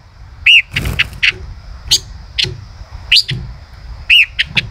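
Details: Male common rosefinch in song: several clear arched whistled notes repeat about once a second, mixed with sharp high chips and a brief rustling noise.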